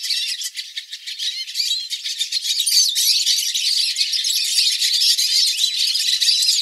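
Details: Many hooded siskins singing at once, recorded live. Rapid rattling chatter and sweet high twitters pile up into a constant, shimmering chorus with quick, irregular note bursts throughout.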